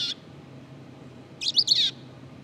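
Black-capped chickadee subsong: a clipped high note, then half a second of soft, jumbled, high twittering notes over a faint low hum.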